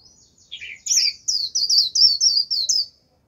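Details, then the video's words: Japanese white-eye singing as a lure for a wild flock: two lower slurred notes open a fast run of sharp, high chirps, about four per second, ending abruptly in silence. "Vành khuyên mồi gọi bổi cực tốt, bổi đến cả đàn, bật líu theo."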